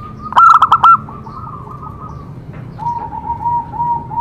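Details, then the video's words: Zebra dove singing so other doves will join in. One loud rattling run of quick cooing notes fades into soft coos. A lower, gently pulsing cooing series follows from a second dove. "Cocok untuk terapi semua jenis perkutut pasti nyamber"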